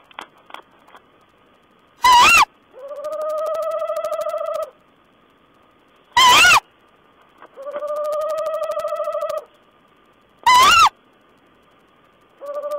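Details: Owl exchange dated 14 April 2010: loud harsh screeches every four seconds or so, each followed by a long wavering humming note of about two seconds, with a few faint taps early on.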